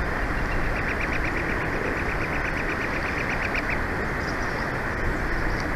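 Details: Bald eagles at the Big Bear Valley nest on 03/06/2024, filmed by a live nest camera; a run of about twenty-five thin, evenly spaced piping notes over a steady, heavy low rumble of wind or traffic.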